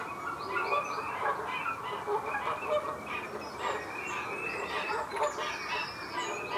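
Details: Canada geese, a pair, recorded at 07:30 on 23 February 2019 in the Disselmersch reserve at Lippborg with a Panasonic Lumix GH5; rapid, overlapping nasal honks in irregular bursts, with higher thin notes above them.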